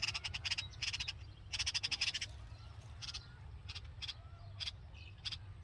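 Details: Nest of hungry red-vented bulbul chicks with their mother: a rapid run of harsh buzzy chirps at the start, then spaced single rasps about every half second, over low constant noise.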